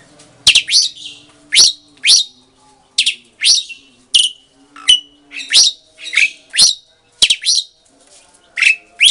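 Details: Asian pied starlings, a bonded captive breeding pair, duetting: loud separate chirps and rasping squeaks in quick bursts with short gaps, a faint low hum beneath.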